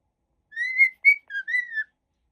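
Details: A happy cockatiel whistles a brief melodic phrase of four clear notes, the first long and slightly rising, the last dipping then falling, with silence around it.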